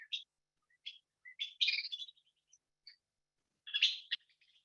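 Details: Western Kingbird dawn song, given before first light, Texas: sharp, squeaky kip notes with a rubber-ducky quality building into sputtering, harsh bursts that sound like a really upset bird, high-pitched throughout.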